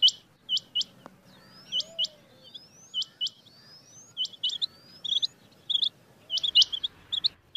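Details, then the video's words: Quieter rain quail call used for hunting, with spaced bursts of short high rising notes, while long thin gliding whistles and a soft lower slur sound in the background. "Rain quail call for hunting | chingay ki awaz shikar k leay | چنگے کی آواز شکار کے لیے"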